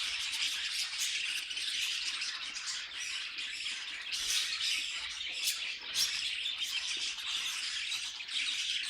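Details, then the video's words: Many budgies singing over one another in a constant, even stream of buzzy chirps, squawks and rapid warbled phrases. "Budgies Singing and Being Cute"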